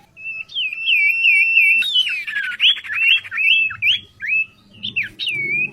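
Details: Oriental magpie-robin, a prized vocal tutor, opening with a warbling series of rapid whistled notes, then a buzzy burst and a string of bending, looping whistles.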